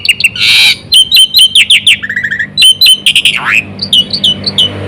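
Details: Black-winged myna singing a full, varied song played to lure other mynas; a harsh noisy burst opens, followed by quick whistled and chattering notes, slurred squeaks and one long descending swoop.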